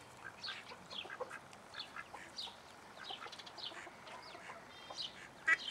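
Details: Young call ducks with chicks in a private captive collection in Holland give a busy, overlapping chorus of short, high peeps and squeaky notes, several each second, over a low, steady background hiss.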